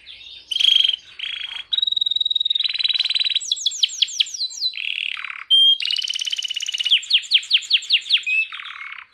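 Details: Canary in vigorous song while held in the hand: long steady whistles, a rapid machine-like trill, quick descending chirps, a low buzzy passage, then further fast trills and repeated sweeping notes.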